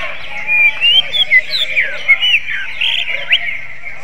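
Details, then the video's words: Song of a greater green leafbird in the manner of a kacer: a lively string of varied whistles, upslurs and sharp downward flicks, delivered in quick uneven bursts over continuous high chatter. "CUCAK IJO RASA KACER"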